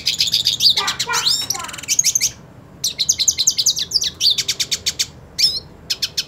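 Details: Hooded siskin, purebred, spoiling for a fight with another hooded siskin; quick bursts of high whistled and buzzy notes, sharp rising slurs and chattered trills separated by brief pauses.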